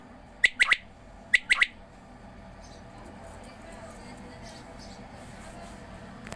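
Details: Quail heard while being given water: two quick bursts of three sharp, clipped notes early on, then only a steady background hum.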